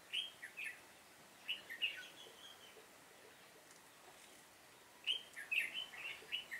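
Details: Decoy red-whiskered bulbul giving fighting song in a trapping session, 7 September 2018. Quick chattering whistled phrases come in two clusters separated by a few seconds of quiet.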